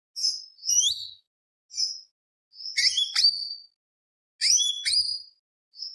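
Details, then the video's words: Greater green leafbird singing actively, used as a lure to provoke other birds, in a full mimicry-filled tembak beset long-roll style: high, sharp whistled phrases and quick chattering bursts separated by short pauses. "PANCINGAN CUCAK IJO BIAR EMOSI ~ CUCAK IJO GACOR FULL ISIAN ~ Tembak Beset Roll Panjang"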